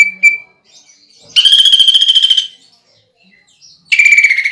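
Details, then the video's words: Greater green leafbird, a competition-trained songster, singing a "pelatuk bawang" (woodpecker) imitation fill used to lure birds: a short pure whistle, then a loud rapid buzzy rattle of strong notes, and another burst at the end. "PANCINGAN CUCAK IJO GACOR NEMBAK ISIAN PELATUK BAWANG UNTUK LOMBA"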